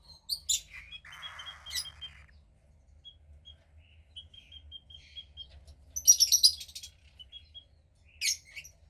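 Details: A cockatiel chick about 15 days old, female and second hatch of a pied pair, gives a soft hissing rasp, thin repeated peeps, then a loud grating burst and a final sharp squawk.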